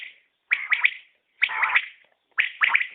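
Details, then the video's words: Three clear common quail phrases, each a quick trisyllabic burst of bright, liquid notes, repeated roughly once per second against silence. "Batair Ki Awaz | Common Quail Calling"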